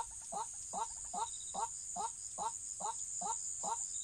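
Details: White-breasted waterhen, recorded during trapping: evenly spaced, nasal, down-slurred croaks about every 0.4 seconds, with a continuous high-pitched insect whine behind.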